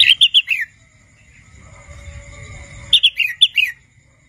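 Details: Young wild Red-whiskered bulbul learning to sing: two bursts of bright, rapid whistled notes, three to five clipped syllables each ending in a slurred downward note, separated by a quiet pause with a steady faint background tone.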